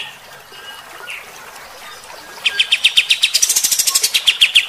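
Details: Kapas tembak bulbul song used to rile fighter-type birds: after two seconds of near quiet with faint thin notes, a sudden rapid burst of coarse, repeated chirps about four per second, growing denser toward the end.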